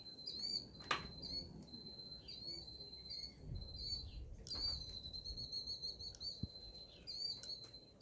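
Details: Killdeer in Wisconsin on a rainy Memorial Day weekend amid stormy weather and tornado warnings: shrill, high, overlapping repeated calls, several per second, over a steady high tone, low rumbling and a few sharp clicks.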